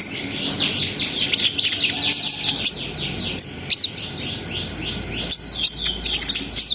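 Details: Brown-throated sunbird in full 'ngerol sambung nembak' song, played to stimulate breeding arousal: rapid rolling series of downslurred high whistles, several per second, broken by a few sharp chips and a brief pause.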